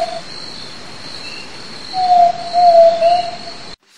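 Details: Zabele tinamou calling: a low, pure whistled note that is long and level, then a second, longer steady whistle after a short break. A faint constant high tone runs through the background.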